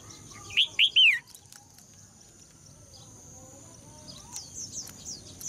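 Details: Female red-whiskered bulbul song to encourage males to sing: one loud three-note whistled phrase with falling slurs, followed later by a series of faint, higher, distant whistled notes and a steady high background hum.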